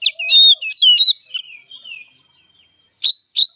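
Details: Oriental magpie-robin singing its fighting song: a quick jumble of sharp whistled and chirped notes that tails off into a fading slur, followed after a pause by two loud single chips.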